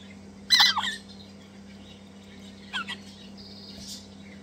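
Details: Two hand-fed crimson rosella chicks, messy and enthusiastic eaters, give a harsh, rasping burst of begging calls while being fed, then two shorter squawks a few seconds later, over a steady low electrical hum.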